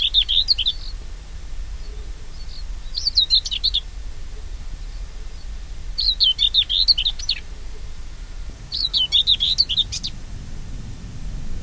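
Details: Common Whitethroat (Sylvia communis) singing in hedge- and scrub-dotted open country in Oldenburger Land, northwest Lower Saxony. Its short, scratchy, hurried phrases last about a second and repeat roughly every three seconds over a low rumble. The strophe is sometimes given in song flight.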